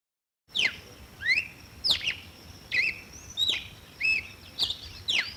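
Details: Red-cowled cardinal song: clear whistled notes, some sliding upward and others dropping steeply, delivered about every 0.6 seconds in a lively, varied sequence. A faint steady high hum runs underneath.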